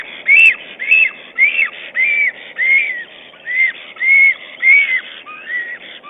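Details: Nesting black stork, filmed 22 April 2009 by a nest camera, calling to its mate as it arranges twigs and moss. It gives a run of arched whistles at a steady pace, and the last notes are lower and shorter.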